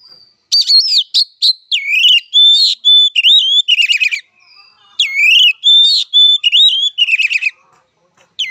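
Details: Oriental magpie-robin (kacer) fighting song: two long runs of varied, loud phrases, with clear rising and falling whistles alternating with harsh rattling trills, separated by a brief pause near the middle.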